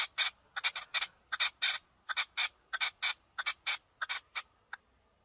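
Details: A red-legged partridge in a field gives a rapid series of harsh, scratchy chuck notes in uneven pairs and triplets, about twenty bursts in five seconds, over a quiet background.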